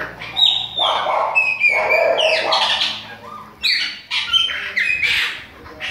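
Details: Chopi blackbird of the Bahia type, alongside a young bird. Varied phrases mix clear high whistles with lower, throatier notes, delivered in uneven bursts with brief pauses.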